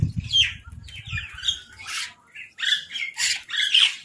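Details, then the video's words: Crows squabbling while fighting over food, with mynahs nearby: a run of harsh, scratchy squawks and rasping calls in short bursts, separated by brief pauses, over low rumbling background noise. "Crow Fight | Crow Eating Food"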